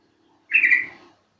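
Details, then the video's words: Yellow-vented Bulbul call played to lure birds into singing: one short bubbly, chattering phrase near two kilohertz, about half a second long, sliding slightly downward, over a quiet background. "Panggilan burung trucuk"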